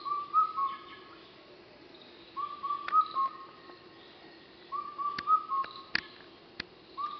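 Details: An Indian cuckoo repeats its four-note whistled phrase roughly every two and a half seconds, recorded in the late evening at Thattekkad, Kerala, India, on 6 May 2012.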